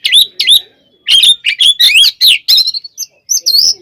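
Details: Kacer, the oriental magpie-robin, singing its fighting song to rouse rival birds: clipped, bright whistled phrases in quick bursts, each note sliding up or down, with short gaps between groups.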